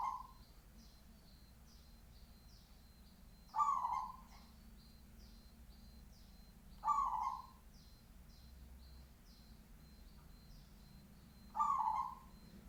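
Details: Local zebra dove with a deep, full voice giving low rolling cooing phrases, each a brief burst and trailing coo, repeated roughly every four seconds, while thin high chirping notes from other small birds run steadily in the background.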